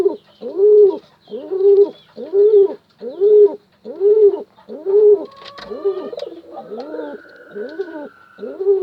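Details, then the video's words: Cooing pigeon calling a female: steady run of low, arching coos repeated roughly every 0.6 seconds, later joined by a faint thin whistled tone. "Suara Burung Merpati panggil betina"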